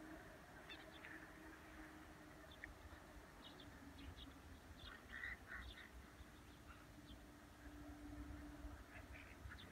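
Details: Common (Eurasian) teal at Laguna de Miralrio, Parque Regional del Sureste, on 31 August 2018, giving scattered short, nasal calls and brief clipped notes over a steady low rumble and background hum.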